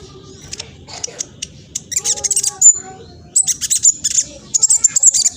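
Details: Juvenile black sunbird from East Java, Indonesia, in fast, emotive song to draw answers from other birds: scattered high ticks building into dense, shrill chattering bursts with brief whistled slurs, over a soft low hum.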